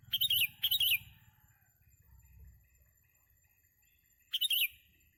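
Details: Sooty-headed bulbul recorded during a bird-trapping outing: two quick, loud bursts of bright, warbling, chattering notes, a quiet gap of over three seconds, then a third similar burst, over low rumbling background noise.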